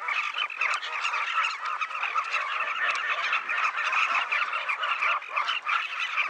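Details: Large breeding colony of Southern Carmine Bee-eaters on the Luangwa River banks: a dense, unbroken chorus of rolling, throaty calls from many birds at once, overlapping into a steady chattering din.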